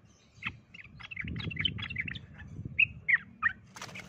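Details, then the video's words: Sooty-headed bulbul, a fighting-trained bird set against a wild forest bird, giving short bubbly chirped notes in quick succession, several louder rising whistled notes toward the end, with low rustling noise. "Burung trucukan Tarung VS trucuk Hutan"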